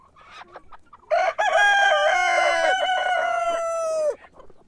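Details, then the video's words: Rooster crowing in the morning: one long, loud, harmonic-rich crow lasting about three seconds, rising briefly then holding a steady pitch before dropping off, with faint clucks before it. "Sonido de gallo por la mañana // Cock crowing in the morning"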